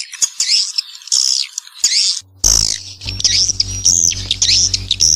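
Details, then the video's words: Swiftlet twitters from a lure track meant to attract young swiftlets into a new building: high, sliding, buzzy chirps in bursts, joined after about two seconds by a steady low electronic hum under the calls. "suara walet terbaru 2021"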